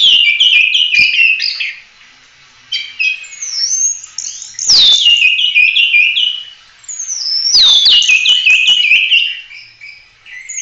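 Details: Oriental magpie-robin in vigorous 'full roll tembak' song, suitable for training other songbirds. Rapid chirp sequences and swooping whistles come in bursts separated by brief pauses, with clicking noises between phrases.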